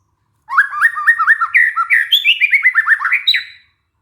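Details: White-rumped shama singing a lure phrase used to stimulate a stressed bird to sing once more. Quick, rhythmic series of upward-flicking whistles climbs steadily in pitch, ending on a high sustained note.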